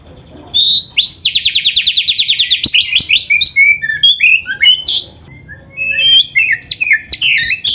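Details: Full, varied white-rumped shama song for caged-bird training opens with a long rapid trill of repeated notes, then moves into jumbled whistled and chattering phrases, some dropping in pitch.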